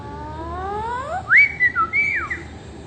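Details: Talking parrot whistling: a slow rising glide followed by several loud, higher slurred whistles that swoop up and down, over a low background hum.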